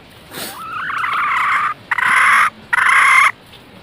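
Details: A red junglefowl hen used as a decoy to attract males gives a rising, strained note followed by two harsh, sustained calls of about half a second each, against a low background rustle.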